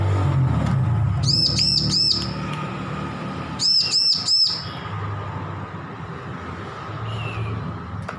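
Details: Recently weaned juvenile bar-winged prinia practising its song, giving a rapid run of four ringing arched chips, a pause, then three more, with a low rumbling background.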